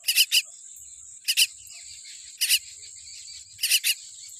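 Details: Tiny common myna nestling born with a weak beak produces rough, hissing rasps in short pairs, separated by brief pauses, beneath a faint steady high tone.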